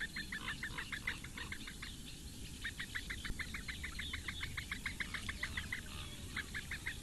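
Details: Eurasian bittern chicks, four in a nest in reedbeds of Lake Engure, Latvia, begging while the female brings breakfast on a May morning; fast regular clicking notes, about three per second, in runs with brief pauses, low rumble beneath.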